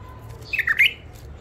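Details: Captive wild-caught bulbul from Mandali, newly isolated after capture, gives a brief bubbling phrase of slurred whistled notes that dip and climb over about half a second, against a quiet low room hum.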